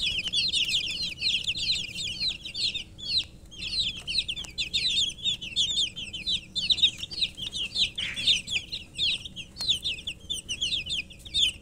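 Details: A crowd of domestic chicken chicks chirping nonstop: dense, loud, high peeps sliding downward, overlapping throughout, with very little background noise.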